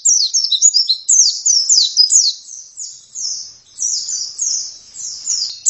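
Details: Oriental white-eye singing gacor: rapid, high, zigzagging chirps in clustered phrases, then softer, longer twittered notes, with no other clear sounds.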